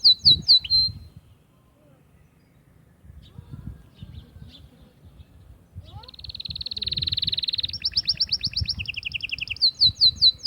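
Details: Atlantic canary singing to stimulate females for mating: sharp, descending chirps, a quiet pause with faint notes, then a dense, fast trill, a higher rolled trill over a lower one, and a return to the crisp chirps.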